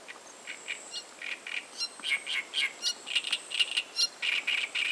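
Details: Great reed warbler (Acrocephalus arundinaceus) singing: a steady run of harsh, grating, croaky syllables, about four per second, some doubled and squeakier, over faint background hiss.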